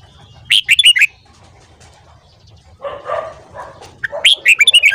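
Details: Morning song of a red-whiskered bulbul: a rapid burst of four bright, bubbly whistles, a pause with a softer muffled chattering, then another lively phrase of six or seven quick notes.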